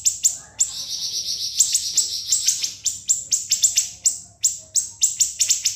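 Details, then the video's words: Siri-siri in a long, sharp 'ngebren' song used as a master to train murai batu, kacer and cucak ijo: rapid shrill high chips in quick series with a short buzzy rattling trill near the start. "MASTERAN BURUNG SIRI-SIRI NGEBREN SUPER PEDAS TEMBAKAN TAJAM & SUPER PANJANG"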